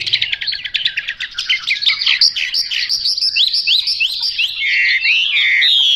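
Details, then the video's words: Chinese hwamei in 'mộc dở' song, delivering fast stuttered notes that build into a loud chain of ringing looping whistles, ending on a sustained high trill. "Họa mi mộc dở"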